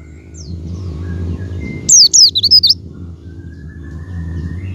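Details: Lure calls of a Javan white-eye for stimulating a caged white-eye to sing: a faint thin note or two, then a fast, loud string of about five high wavering down-slurred whistles, with soft background hum and a faint tone.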